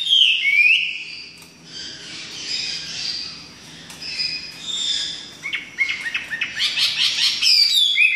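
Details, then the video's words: Chinese hwamei from southern China, a songbird whose males sing well and mimic other birds; varied rich song of whistled slurs and buzzy high phrases, with a quick run of sharp repeated chips near the end. "Burung Hwamei Super (Wambi Gacor 55)"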